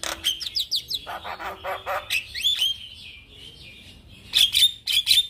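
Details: Male Javan myna song meant as a model for other mynas; rapid squeaky whistles, a stretch of buzzy nasal notes, slurred rising whistles, then loud harsh chattering bursts.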